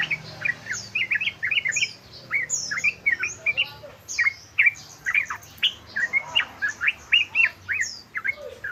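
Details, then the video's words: Trucukan, the yellow-vented bulbul, singing in the fast 'ropel' style: a steady stream of liquid, rising and falling chirps with sharp high squeaks layered above, pulsing in quick bursts about every half second throughout. "OCEHAN SUARA BURUNG TRUCUKAN ROPEL"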